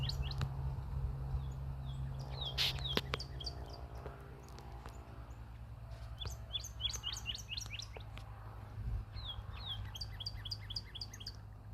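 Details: Cardinal, described as a master singer seeking a fight, gives series of short, sharp down-slurred whistled notes in quick bursts of four to six, with pauses between phrases, over steady low background hum.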